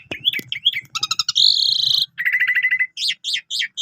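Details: Javan pied starling singing with full imitated content, a lure and tutor song for canaries: wavering whistles, clicking pulse bursts, a buzzy trill, then a flat whistle and three quick chevron notes, faint low knocking beneath.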